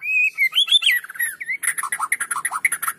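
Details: White-rumped shama in full song, used as a lure to spur lazy shamas into singing: clear slurred whistles sliding up and down, then a fast run of short sharp chipping notes repeated about three times a second.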